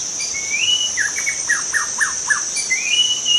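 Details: Wild forest white-rumped shama song: a rising whistled note leads into a series of five quick, sharply downslurred notes, then another rising whistle, all above a constant shrill insect buzz.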